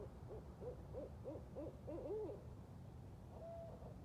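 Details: Group of four to eight or more wild Barred Owls calling and caterwauling at night during a walk: rapid series of arched, rising-falling hoots about three per second, then a single steady drawn-out note.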